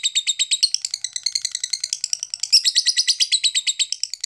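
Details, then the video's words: Lovebird giving long ngetik chatter, used to prompt quiet lovebirds to sing; high, rapid ticking notes, about three per second, in a continuous unbroken run with no other sounds. "super NGETIK panjang!!pancingan terapi untuk lovebird malas bunyi"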